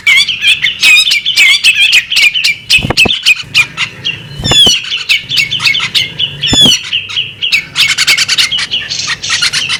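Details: Female bearded magpie robin calling continuously in a chattering mix of clipped chirps and bright whistled slurs, occasional high sweeping notes, and a few sharp low thuds in the background.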